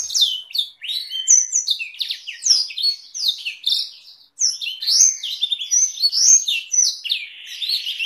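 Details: Canary with Blackthroat-type rolls, a long tutor song for songbird training; quick high chirps and slurred whistled phrases tumble along, broken by a short silence near the middle before resuming.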